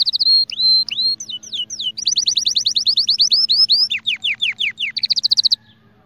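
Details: Canary singing for song training: clear whistled notes, a run of rapid upward-sweeping slurs, then a chain of downward-dipping whistles and a fast trill at the end, over a faint steady low hum.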